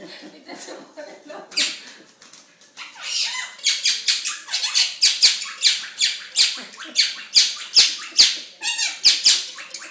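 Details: Pet monk parakeet going crazy as a nurse puts on gloves indoors: loud harsh screeching squawks repeated about twice a second, building into a rapid, agitated series.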